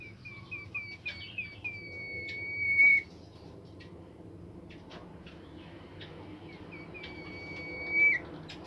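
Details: Bimoli bird song meant to set other birds singing: a run of short clipped whistled notes leading into a long, level, pure whistle ending in a quick downslur, the pattern repeated after a pause, with faint clicks and low background hum.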